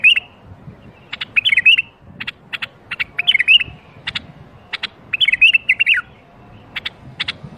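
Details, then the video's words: Strong bulbul song played to prompt silent bulbuls to sing: bright, bubbling warbled phrases in short bursts every second or two, with sharp, high clicking chips scattered between the phrases. "أقوى برواز بلبل ممكن تسمعه لفتح البلابل القافله"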